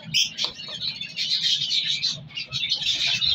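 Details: A breeding colony of colour-mutation African lovebirds with chicks being separated: a dense, continuous stream of shrill, high squeaks and chirps, several birds calling over one another.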